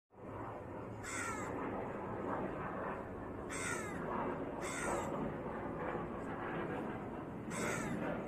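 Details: On a noisy street, a crow calls for food, giving four harsh, hoarse caws at uneven intervals over a steady roar of traffic.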